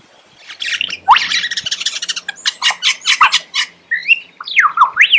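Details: Lyrebird song opening with rapid, harsh chattering bursts, then a loose run of staccato notes and loud looping whistles that swoop up and down.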